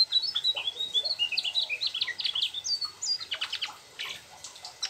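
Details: Excited, continuous song from a Mugimaki flycatcher that includes a sooty-headed bulbul imitation: rapid, high, twittering and sliding whistles, dense at first and then thinning out.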